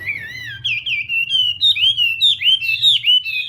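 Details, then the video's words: Chinese hwamei singing during morning voice training in a contest setting: rich, continuous whistled warble of upward and downward slurs, growing louder, about two notes per second. "Hoạ Mi Hót Đấu /hoạ mi hót sáng luyện giọng"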